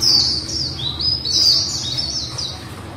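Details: Female white-eye singing in the líu style, a continuous high, thin twittering warble of quick sliding and descending notes running without pause for three seconds over a faint low hum.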